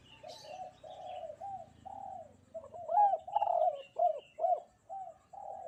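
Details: Spotted dove cooing loudly and actively on a bright morning. Repeated low, hollow coos come in quick succession, some with rising and falling inflections. Faint higher chirps from other birds are heard early in the recording.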